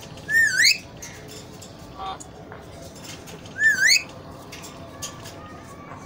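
An Alexandrine parakeet gives two loud, rising, ringing whistles about three seconds apart over a quiet background hiss.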